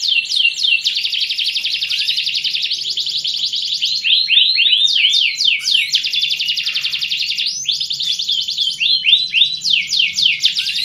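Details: Canary song played as a breeding lure to raise mating drive and speed pairing. Long fast rolling trills and buzzy rattles alternate with bursts of quick downslurred whistled notes, all high-pitched and continuous.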